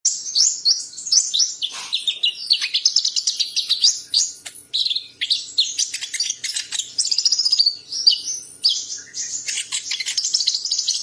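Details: Champion songbird in a masteran recording delivering a fast, unbroken stream of high chirps, trills and short whistled slurs, shifting pitch constantly with barely any pause.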